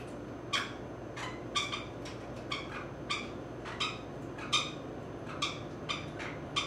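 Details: Sixteen-year-old female grey-cheeked parakeet, a shy adopted pet, calling while getting a long, rough back scratch; short, harsh chirping notes repeated roughly every half to one second against steady low room noise.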